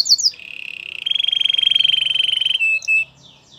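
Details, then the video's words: Canary training song: a few quick high notes open into a long, even, rapidly pulsing trill held for over a second, closed by two short clean whistles. "Your canary will not stop singing with this training song"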